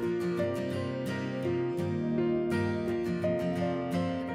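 Strummed acoustic guitar music with steady harmonic notes; no animal sounds.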